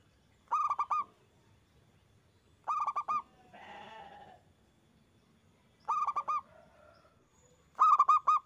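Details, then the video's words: Local zebra dove singing loudly, played as a lure to prompt other doves to sing: four bursts of rapid, rolling, pulsed coos, three or four notes each, spaced two to three seconds apart, with a brief rustle between. "Perkutut gacor suara besar bikin ON nyaut buka paruh"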